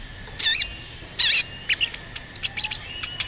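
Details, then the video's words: Crimson Sunbird in cuit cuit calling, used to provoke other birds into song: two loud, high, ringing notes, then a quickening series of short thin chirps and small swept whistles. "Pancingan Sogon Agar Bunyi dan Emosi, Sogon Bahan Auto Nyaut dan Cepet Rajin Bunyi"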